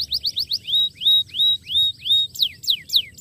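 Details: Starblue canary song meant to set off other canaries that have stopped singing: a quick chirped series, then long sweeping whistled notes about every half second, ending in sharp descending chips.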